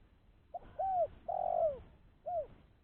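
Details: Cooing of a spotted dove used to lure wild doves: a brief note, a curved coo, a long drawn falling coo and another short arched coo, clear and mellow.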